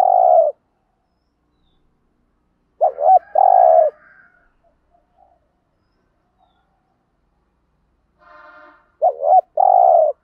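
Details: Spotted dove cooing the standard 'thúc gù' lure pattern that provokes wild birds to reply: a long low coo, then a quick two-part note and sustained coo, repeated after a pause, with a faint tonal sound before the last phrase.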